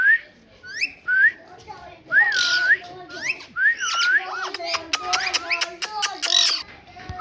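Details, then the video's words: Bursts of rising and dipping whistles from a parrot, some with a rough buzzy edge, then a quick train of regular sharp clicks near the end. "Parrot Talking"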